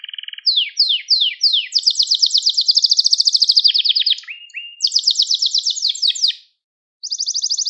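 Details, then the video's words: Gloster canary singing to stimulate other canaries: a low buzzy rattle, four falling whistles, a long rapid high trill, lower slurred notes, a pause, then another fast trill. "Gloster Kanarya Sesi Ve Ötüşü | Kanarya Huylandırma | Kanarya Kızıştırma"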